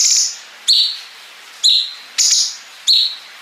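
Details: Cungkok bulbul recorded as training material for competition songbirds, with long 'bren' fills joined to 'ngepik' notes: short high buzzy bursts alternating with sharp sliding notes, about every half second, over a quiet background.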